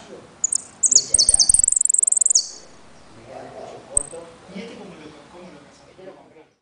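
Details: Caged saffron finch from Trenque Lauquen in "El Correntino" style with repique, golpe and pitadas: a loud rapid high rattling trill lasting about two seconds, one later pip, followed by people talking.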